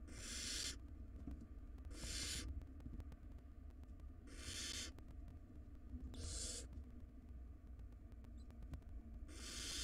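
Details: Barn owl nestlings, wild, in a monitored nest box, tussling over a large rodent prize; harsh hissing screeches repeated about every two seconds, five bursts in all, over a low background hum and faint scuffling.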